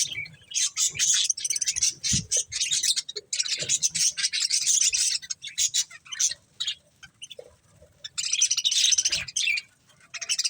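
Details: Several budgerigars eating corn, keeping up a dense, scratchy chattering warble of rapid high chirps in long bursts with brief pauses, and faint low thuds beneath.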